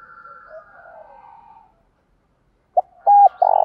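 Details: Lure spotted dove calling to draw in wild doves. After faint background bird whistles and a silence, a coo phrase begins at the end: a short note, a hooked note, then a loud, rough, sustained coo.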